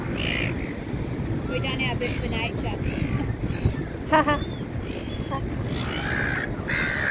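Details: Seagulls from a flock gathered near someone eating dinner, dated 2-8-24: rapid series of rough, stacked, squawking notes, loudest near four seconds, with more scattered calls later, over constant low background rumble and speech.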